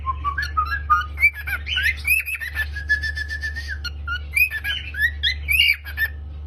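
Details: Cockatiel singing and chirping in the home: a run of rising whistled notes, a longer level whistle, then quick chattering twitters, all over a low steady hum.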